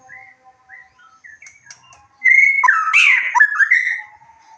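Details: White-rumped shama lure song to excite and provoke birds to reply: faint short whistles, then a loud, two-second phrase beginning with a steady whistle and breaking into rapid, tumbling, rising and falling notes.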